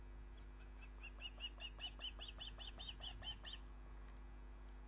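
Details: Female osprey arriving with a fish she caught, Loch of the Lowes, Scotland, evening of 29 June 2010, filmed by a live nest camera; a rapid, even series of about thirteen short, piercing, down-slurred chirps, roughly two per second, over constant electrical hum.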